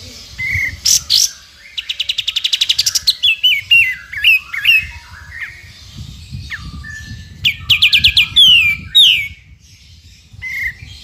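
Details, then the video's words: Energetic sooty-headed bulbul 'ngepik beset' song for training songbirds like the white-rumped shama: fast rattling trill of about a dozen clicks, varied chirps and slurred whistles, repeated bursts, with low background rumble. "KAPAS TEMBAK GACOR FULL NGEPIK BESET"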